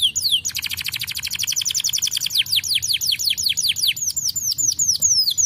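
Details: Canary song meant to stimulate other birds to sing: a long run of fast repeated down-slurred whistled notes forming a rolling trill, then slower sweeping notes, over a steady low background hiss.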